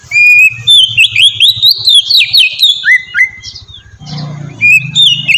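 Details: Sweet, relaxed Oriental magpie-robin song meant as a lure for caged magpie-robins: steady whistles rising into a busy run of quick warbled notes, a brief break with noise near four seconds, then whistling again, over a low hum.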